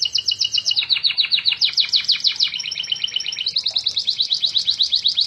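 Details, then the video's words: Energetic canary song, described as gacor: rapid repeated high trill phrases that shift pitch every second or so, rolling continuously without pause. "Burung kenari Gacorr"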